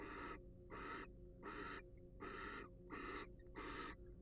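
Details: Wild barn owl filmed in a nest box used for research; six raspy, rushing hiss-screeches in about four seconds, evenly repeated roughly every 0.7 seconds, with a constant low hum underneath.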